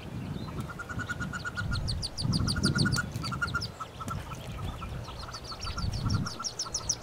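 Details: Nineteen newly hatched wood duck ducklings crowd a nest box alongside one hooded merganser duckling, spring 2013. Rapid runs of short, high peeps overlap from many chicks, with low rumbling thumps of movement inside the box.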